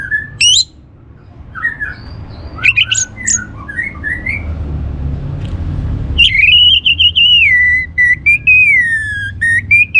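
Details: Orange-headed thrush song played to stimulate other birds to sing: scattered high whistled notes and short slurs, then a loud sustained warbling phrase wavering and dipping, with faint low background hum.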